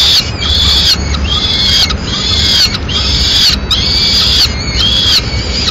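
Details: Male peregrine falcon arriving with a swift to feed chicks at a Madrid nest; strident, slightly falling wails come in a quick regular train, about five in a few seconds.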